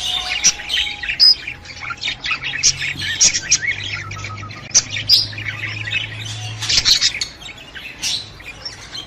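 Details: Budgerigar chatter meant to stimulate a female to mate: sharp chirps and scratchy warbles in bursts, clicks scattered through, a low droning hum in the background.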